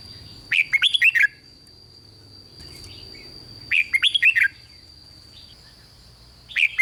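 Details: Red-whiskered bulbul in Thailand, kept for song, singing a phrase meant to rouse other bulbuls: short bubbly bursts of five or six fluty notes repeated roughly every three seconds over a steady high electronic whine.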